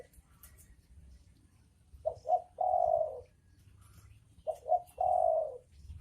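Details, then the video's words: Spotted dove song from a male and female pair: two clipped hoots leading into a long sustained coo, given twice. "Suara Burung dekukur jantan dan betina"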